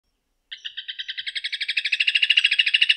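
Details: Rufous hornero (Furnarius rufus) song: a loud, ringing series of sharp notes, about eight per second, that speeds up and grows louder over two and a half seconds.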